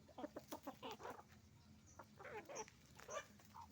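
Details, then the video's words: Chicken farm flock of roosters and hens calling; dense run of loud, throaty clucks and cackles in quick succession, then a few scattered squawks, with low background hum. "Moment of the sound of a chicken farm, roosters and hens making noise"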